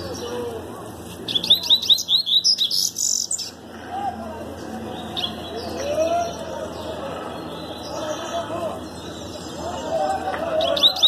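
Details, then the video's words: Double-collared seedeater with a fast 'tui-tui' song, considered good for competition, giving quick, high twittering bursts of rapid repeated notes, with lower background sounds that may include voices. "Coleirinha bom tui-tui rápido"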